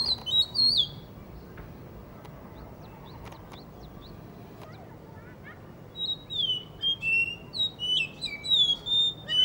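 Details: Blue whistling thrush singing in Hunza beside a guesthouse under construction: a short burst of high whistles opens, then about five seconds of near quiet with faint clicks, before a rapid series of bright, swooping whistled notes resumes to the end.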